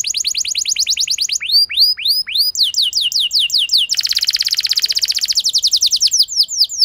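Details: Canary singing as a lure to draw long song from an unmotivated canary: rolling series of swept whistles, a few slower looping notes, then a fast buzzy trill and more rapid sweeps.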